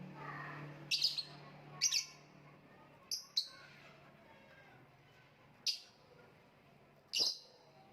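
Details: Lovebird calling with six isolated shrill, squeaky chirps, some in quick doubles, separated by pauses of one to two seconds; a low hum and a faint voice at the start.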